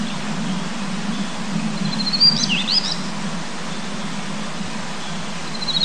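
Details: Male Daurian redstart, thought to be nesting, sings in a forest at 1300 m on 2 June 2019: one brief high phrase of twisting, scratchy whistles with faint thin notes around it, over a low stream and wind rumble.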